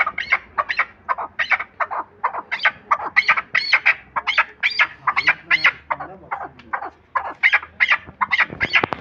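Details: Loud rhythmic chukar calling from a partridge kept for hunting: grating, accented chuk-chuk notes repeated in rapid runs for several seconds.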